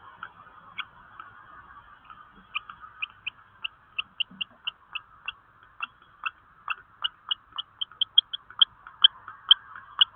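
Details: Common kestrel pair, male and female, looking for a nest site: a long series of short, sharp, high notes that starts faint, then grows louder and faster, about two to three per second.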